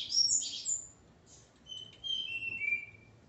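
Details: Coleiro, a male kept with his female, song type called Ponto 50 (the female is Calibre 40); high whistled notes sliding downward in short phrases, with a quiet gap between bursts.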